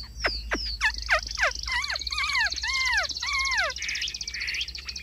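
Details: Caged Chinese hwamei in full song: steep downward whistled strokes, arched falling phrases repeated several times, and a fast high rattling trill running underneath.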